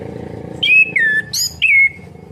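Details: Four clean whistled phrases from an orange-headed thrush: falling, slurred notes and a bright, buzzy middle note, with low engine-like noise behind. The song is meant to spur a non-singing bird.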